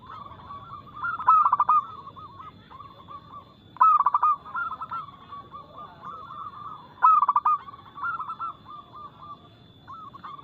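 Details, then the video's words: Zebra dove of the local type with a quick, loud, crystal-clear song used to lure captive birds into singing. Rapid, stuttered coo bursts repeat at intervals of about three seconds, with many softer coos filling the gaps. "PERKUTUT LOKAL GACOR Nada cepat Suara keras kristal"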